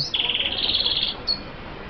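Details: Red siskin, an F1 bird linked to Colombia, gives a rapid buzzy trill of high notes lasting about a second, followed by a brief thin upward note.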